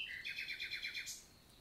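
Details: Morning daytime song of a common nightingale in Lot forest, southern France, June 2023: a fast string of repeated chirping notes sliding downward, closing with a high rising flourish.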